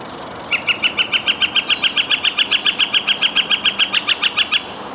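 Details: Northern flicker giving a loud, even series of about twenty sharp, repeated notes, roughly five per second, held at a steady pitch for four seconds against a quiet background.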